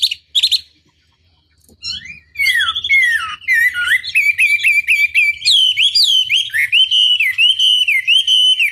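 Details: Chinese hwamei tutor song to provoke rival birds: two short notes, a pause, then an unbroken run of rich, wavering whistled phrases that climb and dip.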